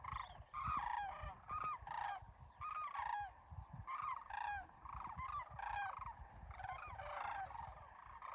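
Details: Sandhill cranes flying over Muleshoe National Wildlife Refuge on a crisp December morning: a flock giving overlapping rolling, trumpeting bugles, each call a rich harmonic rattle, nearly continuous through the recording.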